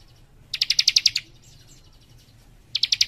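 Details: Tight, rapid burst from a young leaf warbler in full song: a run of about eight loud high pulsed notes, a short pause with faint twitters, then another quick trill begins.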